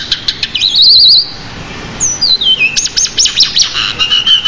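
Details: Pied bushchat song rich in fill-in phrases. A loud trilled, wavering whistle is followed by a long descending slur, then a run of rapid stuttering chirps repeated several times.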